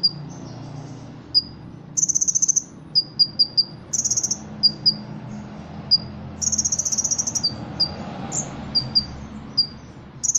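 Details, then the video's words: Ruby-cheeked sunbird, caged and kept for song contests in Indonesia, singing with mimicry of cricket, kapas tembak and cililin. Lively high chips and clusters of rapid buzzy trills recur every second or two over a low hum. "Kolibri Ninja Gacor Isian Jangkrik Kapas Tembak Cililin"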